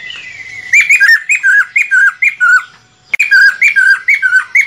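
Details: Lesser necklaced laughingthrush song played to lure birds for trapping: loud, clear whistled notes near the same pitch, each bending up then down, repeated in quick irregular runs with a short pause midway and no other sounds.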